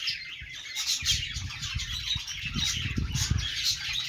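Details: Budgies chirping: steady high, scratchy chatter and twitters, with a fairly loud rumble of low knocks and thuds running underneath much of the recording.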